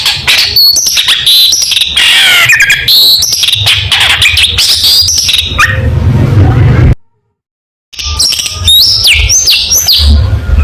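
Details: Long-tailed shrike sending out rapid, harsh chattering and shrill whistled phrases, broken by a sudden second of silence before more sharp stepped whistles resume; low hum underneath.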